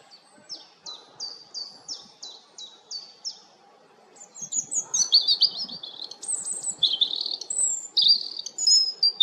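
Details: European robin singing: a run of about eight short, high, sharply descending notes repeated evenly, a brief pause, then a rapid jumble of varied, sweet, high warbled and trilled phrases. A low murmur of background noise continues throughout.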